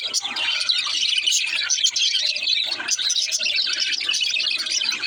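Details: Baby budgerigar singing: dense, continuous high chirping and twittering warble with overlapping voices, busy throughout.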